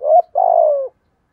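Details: Lure spotted dove in 'giọng thổ' voice giving a 'thúc gù' coo meant to draw wild doves: a brief hooked note, a short pause, then one sustained, gently falling, throaty coo, clean and close.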